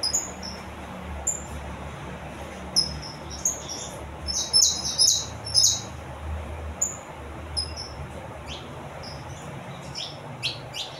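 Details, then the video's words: Singing saffron finch giving scattered high, bright chirps and quick slurred notes, some in tight clusters, spread irregularly over about eleven seconds above a low background hum. "canário da terra cantando"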